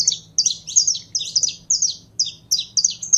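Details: Saffron finch (canário-da-terra), a kept bird 'warming up', sings rapid bright chirped phrases of quick sliding high notes, grouped in bursts of two or three, with short gaps and a faint low hum beneath.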